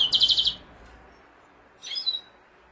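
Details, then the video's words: Mosaic canary singing: a quick burst of five or six high, rapid trilled notes, a pause, then a shorter high whistled phrase with a falling tail, in quiet surroundings. "قناری موزائیکی"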